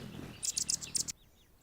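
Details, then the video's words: Anna's hummingbird singing while perched on a branch outdoors in Golden Gate Park, San Francisco, California; a rapid burst of about six very high, scratchy, buzzy notes in under a second, then abrupt quiet over faint low background rumble. "Anna's Hummingbird (Colibri) singing on a branch"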